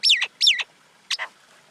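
A common myna gives two harsh, grating squawks in quick succession, then a shorter rasping note after a brief pause; no other sounds.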